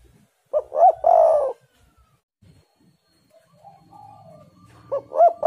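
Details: Spotted dove song, played as a lure to get quiet doves singing: two short hollow coos run into a longer, rolling, warbled coo. The phrase starts again about four seconds later, with a soft low murmur and faint rustling in the gap.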